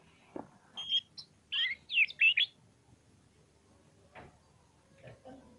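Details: Brief burst of oriental magpie-robin song: a handful of loud, bright chirped phrases in under two seconds, then near silence with faint knocks.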